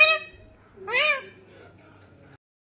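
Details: Parrot imitating a cat's meow: two short, nasal, meow-like calls, the second rising then falling, after which a faint low murmur trails off into silence.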